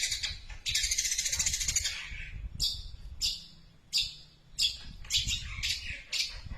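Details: Imitating a tree sparrow in a super-long sequence, a long-tailed shrike opens with a sustained scratchy chatter lasting over a second, then spaced harsh chirps with short gaps between them.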